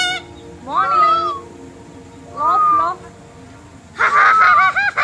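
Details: Cockatoo at a beach resort in Batam, Indonesia, talking: three loud, slurred, speech-like phrases, each rising then levelling, spaced about 1.5 seconds apart, with the last harsher and noisier; people talk quietly nearby.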